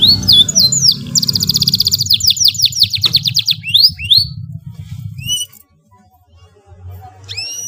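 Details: Canary performing a long song for tutoring young birds: rising whistles lead into a rapid rattling trill and more upswept notes, then near silence with a last pair of high slurs.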